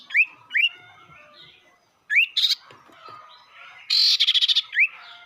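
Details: Sirtu lure song to make rival birds aggressive, cipou brondol type: spaced rising whistled notes, a short buzzy note, then a loud pulsed rattling burst followed by another rising whistle.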